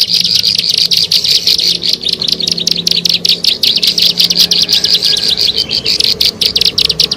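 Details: Ciblek sawah, the plain prinia, on a lure recording for attracting birds: very rapid, high, crackling chips pour out without pause for seven seconds, with a low hum underneath.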